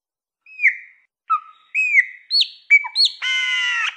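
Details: Wild chopi blackbird singing in the Minas Gerais country style called canto mateiro mineiro: clear whistled notes with downward slurs, spaced phrases, ending in a harsh buzzy rasping note; clean background.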